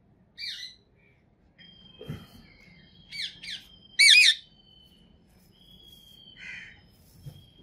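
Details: Green Indian ringneck parakeet uttering a series of brief calls: several short chirps and a loud wavering squawk near the middle, with a faint steady whistle-like tone in the background and quiet room noise.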